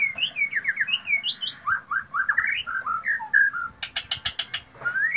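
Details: White-rumped shama giving loud, shrill song: varied whistled phrases of bouncing, rising and falling notes, then a fast series of sharp clicks and a final rising whistle.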